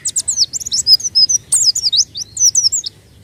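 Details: White-eye singing, used as a lure: a rapid, dense stream of high thin whistled notes and slurred chirps, many sweeping downward, delivered almost continuously with a sharp burst midway.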